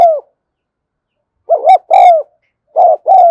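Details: Spotted dove recorded in the afternoon cooing continuously: short bursts of low, rolling coos, one alone then clusters of two, separated by silences of about a second.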